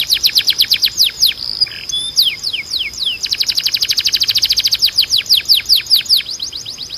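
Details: Canary song for training: rapid repeated downward-sweeping notes, a short mixed phrase, then a long fast series of descending strokes that slows toward the end, very high and bright.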